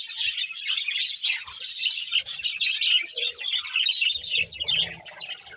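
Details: A pair of pet budgerigars producing fast, high twittering chirps and warbling chatter, loud at first and easing slightly toward the end, where a faint low hum joins in.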